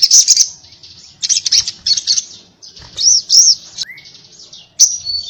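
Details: Little spiderhunter, called sogon, giving varied high chattering phrases. Short buzzy bursts are mixed with looping whistled notes and one sharp rising whistle, separated by brief silences.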